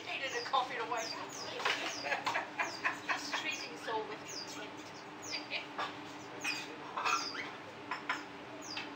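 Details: Blue-faced honeyeaters, several birds at a café in Tin Can Bay, Queensland, in September 2017: a busy run of sharp, high, downslurred chirps, sometimes in quick pairs, scattered through the clip over steady background chatter of people talking.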